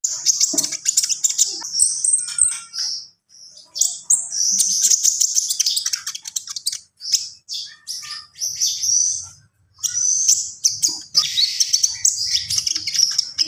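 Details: Javan pied starling in long full song: dense bursts of high chattering, trills and whistles with brief pauses between phrases, clear and dominant throughout.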